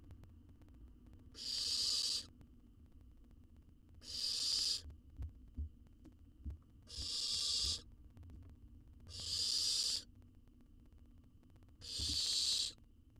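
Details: Baby owl in a monitored wild nest box in Israel, with a jird as prey, repeats harsh hissing screeches about every two and a half seconds, five in a row, with faint knocking between them.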